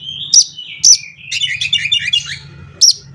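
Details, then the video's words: Oriental magpie-robin (kacer) song used to stir other magpie-robins into singing: sharp high whistled notes between a run of quick varied chirping phrases, over a low steady hum. "CUKUP DENGAN SUARA KACER INI, KACER LAIN JADI GACOR"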